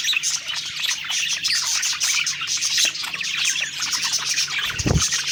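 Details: Happy budgerigars chatter and warble as they eat, with continuous high twittering and sharp chirps, plus a short low thump near the fifth second.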